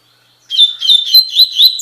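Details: Double-collared seedeater song, Tui Tui Fibra style, recorded to train captive birds: lively high whistles alternating in pitch, delivered in a fast rhythmic series that cuts off mid-phrase.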